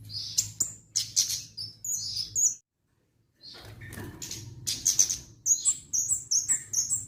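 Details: Orange-headed thrush, known locally as kemade, in full lively song: rapid high whistles and chirps in quick bursts, broken by a brief silent gap, then resuming with fast repeated sharp notes over a faint hum.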